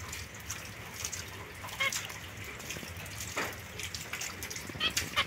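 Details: A young zebra finch pair, a white female and a mosaic male, kept apart from other birds, give a few short, nasal, toy-trumpet beeps, scattered irregularly over a steady hiss of background noise.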